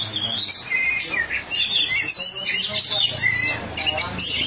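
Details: Vigorous oriental magpie-robin song, known locally as kacer: bright, varied whistled notes and quick sweeping trills, continuous and high-pitched, over faint low background sounds.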